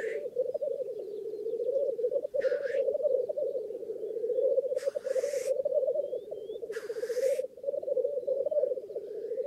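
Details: Black Grouse at a lek in northern England bubble in a steady, dove-like rookooing chorus, broken three times by harsh, hissing sneezes; a few faint thin calls are also heard.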